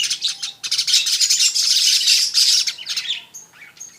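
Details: Rapid, buzzing weaver chatter swells into a loud sizzling phrase, then thins into a few separate thin, high whistled notes at the end.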